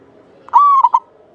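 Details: Single song phrase of a local Javanese zebra dove, a vigorous singer used as a lure bird for its long, clear voice. It is a sustained, level coo followed by two quick short notes.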